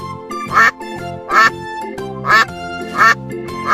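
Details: Farm duck quacking over steady background music: short nasal quacks, about five in under four seconds, spaced unevenly.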